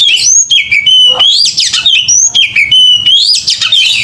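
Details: Oriental magpie-robin (kacer) singing aggressively in fighting mode: loud, clear whistles sliding up and down, with a repeated rising-then-falling phrase roughly every second and quick twittering notes between.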